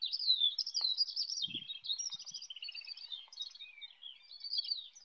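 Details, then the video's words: Eurasian skylark singing on the wing over a wheat field near Bath, England, recorded with an iPhone: a clear, ceaseless high warble of rapid chirps, slurs and buzzy trills, with only a brief faint thump. "Skylarks singing in flight"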